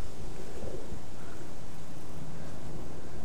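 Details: Steady, dense rumble of wind or distant thunder fills the whole stretch, without any animal call.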